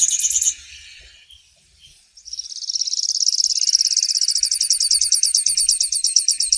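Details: Grassland yellow finch: a short high trill, a quiet gap, then a long rapid buzzy trill of repeated pulses building in strength.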